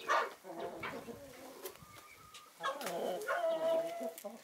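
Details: A sunny winter scene with Naked Neck, Marans and Easter Egger chickens: a sharp call, quieter scattered clucks, then a louder burst ending in a sustained whistled tonal note.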